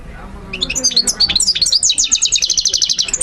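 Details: Goldfinch training song for young birds: after a quiet start, a quick run of twittering notes builds into a steady series of rapid high chirps.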